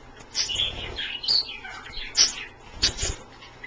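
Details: Bathing pet Australian parrots at a daily indoor water dish give sharp high squeaks and warbled chirps about every half second. Low knocks and splashing thuds sound beneath them.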